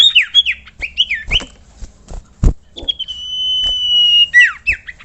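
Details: Common iora singing, recording for songbird training: slurred whistled notes followed by a long, even sustained whistle lasting over a second, then more quick slurred notes, with sharp clicks.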